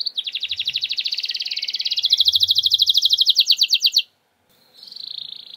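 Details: Canary performing 'nembak' song, played as a lure recording to make quiet canaries respond and sing: a long, very rapid, high-pitched trill lasting about four seconds and rising slightly, a short pause, then a softer trill.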